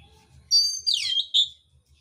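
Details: A short fighting-song phrase from a mintal oriental magpie-robin with rough fill-ins: a bright, high, sustained note, a buzzy descending sweep, then one sharp whistled ending.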